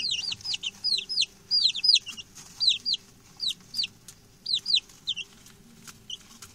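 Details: A group of six young male chickens just brought home keeps up a chatter of shrill, falling peeps. Bursts of rapid overlapping notes alternate with short quieter gaps and soft clicks.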